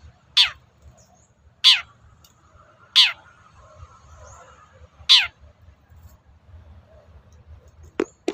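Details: Long-tailed shrike giving harsh, scratchy descending notes at irregular gaps of one to two seconds, played to stir other shrikes into answering, over faint low background noise.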